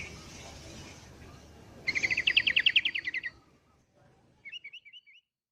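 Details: Sooty-headed bulbul singing in the morning, used as a lure for wild birds: a rapid run of about fourteen sharp, evenly spaced notes lasting just over a second, then a few faint high chirps, with hiss early on.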